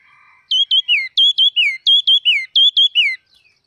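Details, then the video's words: Singing wild red-whiskered bulbul delivers three rapid repeats of a clear whistled motif, two brief bright notes dropping into a slurred downward note, with a faint low hum before it starts. "Chim chim mào rừng hót cực kì"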